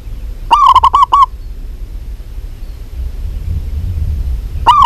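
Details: Local zebra dove, female, calling a male: a quick stuttering phrase of about six hollow coo notes, then quiet low rumble until a new phrase begins at the very end.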